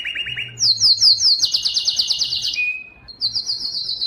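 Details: Short burst of yellow canary song: low quick chirps, then a loud high trill of rapid notes sliding down, a thin whistle, and a final high trill.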